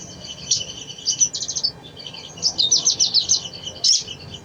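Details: High-pitched twittering song of a brown-throated sunbird, played as a lure to get a reluctant bird singing: quick sharp chirps and short buzzy trills in clustered bursts over a faint background hiss.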